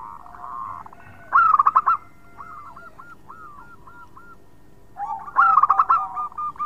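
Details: Zebra dove of local stock used as a calling lure, giving two bursts of quick stuttering notes separated by a run of soft looping curled notes, against a noisy low rumble.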